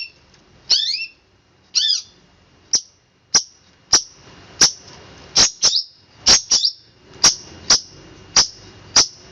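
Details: Long-tailed shrike singing in the fast, tightly packed "roll speed rapat" style: two descending slurred notes open, then a run of sharp, high chirps about every half second, some doubled.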